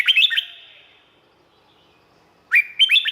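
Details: Red-whiskered bulbul from Thailand, a recording meant for training birds or making them lively: a quick burst of bright, bouncing whistled notes with a long echoing tail, a pause, then another lively three-to-four-note phrase.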